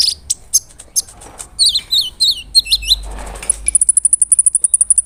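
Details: Big, vocal brown-throated sunbird used to anger rival sunbirds: scattered high ticks, a burst of looping whistled slurs, then a rapid even trill of thin high notes.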